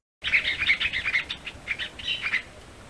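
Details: Masked water tyrant in Brazil's Caatinga giving a rapid series of sharp, nasal chirps around two to four kilohertz, bursts every quarter second, with a brief pause midway.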